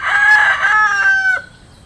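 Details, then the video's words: Rooster crowing in the countryside: a loud harmonic crow held for over a second, ending in a drawn-out falling note, then quiet background. "The sound of cocks crowing"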